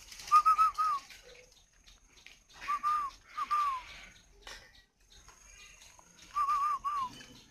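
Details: Spotted doves kept at a bird breeding farm in Ba Vì, Hanoi, in northern Vietnam, giving three cooing bouts, each a quick run of wavering mid-pitched notes, with quiet gaps and faint background clatter between them.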